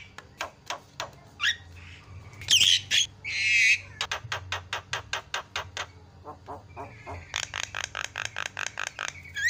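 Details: Javan myna giving long runs of evenly spaced sharp clicks broken by harsh rasping bursts and loud squawks.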